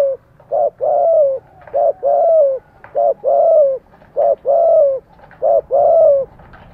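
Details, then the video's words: Spotted dove with fighting spirit, cooing to provoke other doves: low coos in pairs, a short note then a longer, slightly falling note, five pairs in under seven seconds at a steady rhythm, with a faint background hum. "chim cu gáy máu chiến thúc gù kích bổi"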